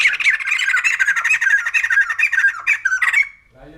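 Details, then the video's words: Continuous fast, scratchy babbling chatter from a poksay jambul putih, or white-crested laughingthrush, for about three seconds before it breaks off. "Poksay Jambul Putih || Burung Tertawa"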